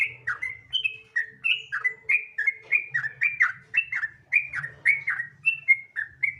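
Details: Nonstop 'gacor ropel' song of a sooty-headed bulbul, played to provoke other bulbuls to answer: a steady stream of short liquid whistles, each dipping or rising, repeated without break for several seconds, with a soft background hum.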